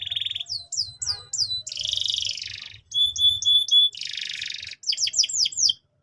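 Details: Canary song used as a lure to train young canaries: rapid varied phrases of whistled down-slurred notes, dense buzzy trills and steady repeated whistles, changing every second or so.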